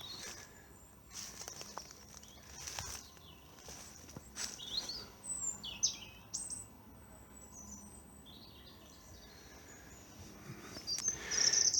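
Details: In April 2022 spring woodland at Central Park, Plymouth, a European robin high in the canopy sings thin, high, wavering phrases in scattered bursts, with footsteps and rustling close by.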